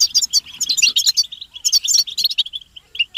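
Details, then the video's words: Several European goldfinches in a group twittering chorus, known locally as betbeta, described as mating and readiness calls that rouse males into song. Dense, high, rapid tinkling chirps overlap in quick bursts with a brief pause near the middle. "بتبتة حسون الشوك تحفيز الحسون على التغريد والهيجان علاج صمت الحسون goldfinch stimulation"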